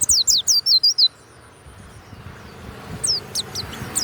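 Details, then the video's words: Banyuwangi-type pleci, a warbling white-eye kept as a songbird, gives a fast burst of six loud, high downslurred whistles in one second. After a pause come a few fainter notes, with a soft background hum. "SUARA PLECI YANG MANTAP"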